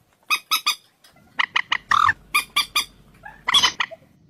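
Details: Common moorhen uttering a run of clipped, throaty squawks in groups of two to three, including one longer croaking note, then a louder, grating final call. Background stays quiet.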